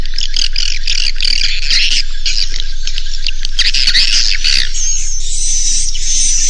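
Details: Naga Mas roosting call of edible-nest swiftlets, meant to make young swiftlets settle and roost: rapid overlapping buzzy chirps and twitters, growing into a sustained rasping buzz with a fine high whistle near the end.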